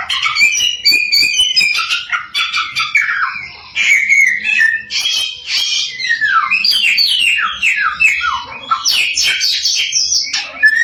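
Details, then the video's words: Samyong in full, ceaseless song used as a lure to stir rival samyong: rapid strings of varied whistles, falling slurs and harsh chatters, each phrase different from the last. "Burung 1001 Suara SAMYONG GACOR, Bikin Samyong Lain Emosi & Ikut Gacor"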